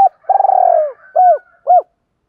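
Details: Spotted dove with a Hạp Bổi style voice giving calling, urging and cooing phrases: a low, rolling, rapidly pulsed coo followed by two short, clipped, slightly falling coos, clean with no other sounds.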